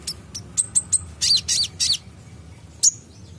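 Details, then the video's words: Van Hasselt's sunbird, an untrained bird reacting to a vocal bird's song: a few sharp high ticks, then three buzzy chirped bursts, a pause, and one final thin high note. "Konin bahan langsung respon bunyi dengar konin gacor ini"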